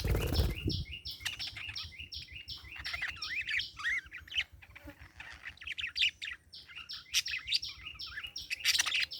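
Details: Chirping parakeet giving quick, repeated high chirps in rhythmic runs, with warbling twitters woven between them and a brief low thump at the very start.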